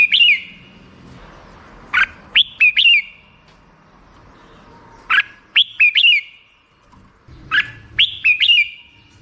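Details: Black-crested bulbul repeating a short phrase of three or four sharp, upslurred whistles roughly every three seconds over faint background rumble.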